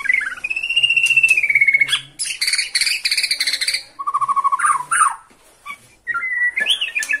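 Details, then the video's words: White-rumped shama of the Borneo type, singing excitedly at the sight of a rival: a long level whistle, then rapid buzzy chattering bursts, lower rolling trills and sharp rising whistled notes. "MURAI BORNEO MAIN EMOSI SATU TITIK LIHAT LAWAN"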